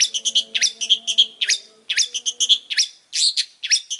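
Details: Long-tailed shrike song: fast repeated harsh chirps with clear whistled accents, strung in rapid series with one brief pause, over faint low humming tones.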